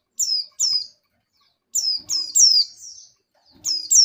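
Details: Female oriental white-eye in breeding condition calling the male: clear, high, descending chirps in quick pairs, then a longer rapid cluster of three or four notes, over near-silent background.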